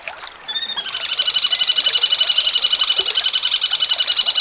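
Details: Cucak cungkok in jengking munting style, recorded for songbird contest training: after a brief quiet start and a short whistled note, a loud, high, rattling trill of fast regular pulses continues to the end.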